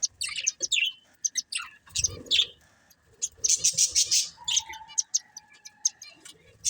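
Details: Breeding pair of budgerigars chirping: scattered bright, high chirps and short warbled bursts separated by brief quiet gaps, with a faint steady tone in the background.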